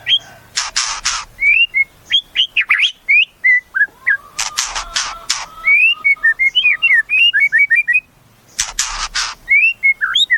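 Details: White-rumped shama song of varied, fluid whistled phrases that rise and fall, broken by short harsh rasping bursts and brief pauses.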